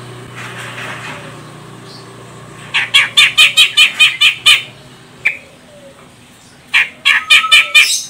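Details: Female grey-cheeked bulbul, Medan type from Sumatra, calling as a lure for males: two bursts of rapid, rhythmic harsh notes about seven to eight each, separated by a single buzzy note and quiet background hum.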